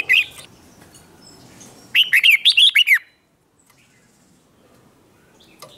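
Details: Red-whiskered bulbul competitive song to provoke rivals: a short chirp, then one loud, rapid phrase of five or six bright, bouncing whistled notes, followed by near silence.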